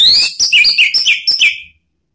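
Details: Orange-headed thrush; song; provoking another bird to sing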